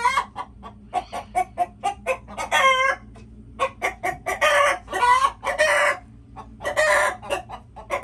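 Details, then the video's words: Chickens in a lively chorus: rapid regular clucks interspersed with long, ringing, harmonic squawks, the busiest stretch between four and seven seconds. "Chickens making noises"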